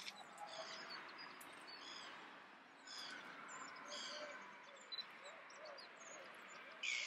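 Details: An adult Icelandic redwing (Turdus iliacus coburni) in Leiden, Netherlands, on 15 December 2015 sings softly: a rambling, scratchy twitter of quick high chirps and thin squeaks with a few lower warbled notes, over a steady hiss.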